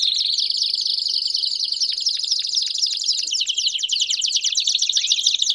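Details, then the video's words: Several Belgian canaries singing: a continuous, high, buzzy trill with rapid downward-slurred chips, growing more chattering and jumbled as the voices overlap. "Vários Canários Cantando Junto Estimule seu Canário Belga a Cantar Muito"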